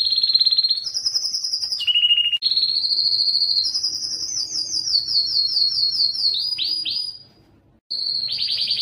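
A Belgian canary sings a long, loud run of high, rapid trills and rolling tours, each phrase shifting pitch, with a brief pause near the end.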